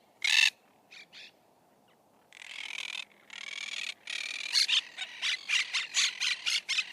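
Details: Monk parakeet opening with a loud harsh squawk, a few softer notes, then a buzzy stretch building into rapid, repeated grating squawks.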